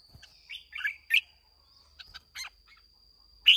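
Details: Red-whiskered bulbul, a freshly caught bird from Hòa Bình, singing in contest on 30 May 2023: a few short, chirpy warbled phrases and sharp clicks, ending in a loud bright note, over a faint steady whine.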